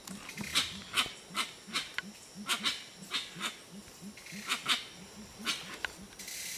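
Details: Deep, even hoots from Gray-winged Trumpeters at Tiputini Biodiversity Station in Ecuador's Amazon, repeated steadily about every third of a second, with sharp, crackling noises above.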